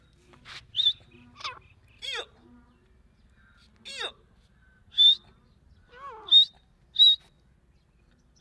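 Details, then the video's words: Grey francolin, called dakni teetar, giving loud harsh calls with sharp downward-sweeping notes. The notes repeat about every second in irregular bursts against a quiet background with faint low murmuring. "دکنی تیترکی آواز"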